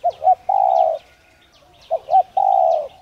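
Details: Spotted dove, played to set off cooing in another dove: two quick notes and a sustained hollow coo, heard twice, with light high-pitched chirps of small birds in the background.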